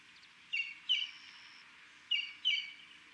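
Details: Buff-crested bustard in Buffalo Springs National Reserve, Samburu, Kenya, giving sharp, high notes in quick pairs, each pair about a second and a half apart, over a faint hiss.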